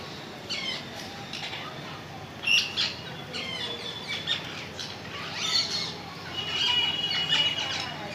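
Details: Scattered high squawks and thin whistled chirps from a parrot, irregular and fairly quick, with a steady faint hum behind.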